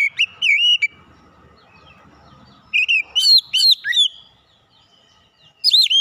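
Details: Oriental magpie-robin (kacer) lure song: loud whistled phrases in bursts separated by pauses, with looping slurred notes, sharp high flicks and varied mimicry-like twists.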